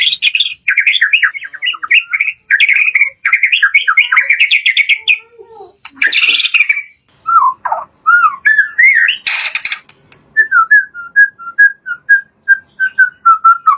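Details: White-rumped shama lure song in full variation, used to stir kept shamas into singing: fast chattering trills of rapid repeated notes, then a pause, a few slurred whistles, and a closing row of short clear whistles evenly spaced.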